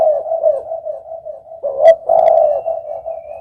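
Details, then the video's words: Spotted dove giving a continuous low, throaty, warbling coo, with a brief sharp click and a stronger, emphasized note near the middle. "suara burung derkuku"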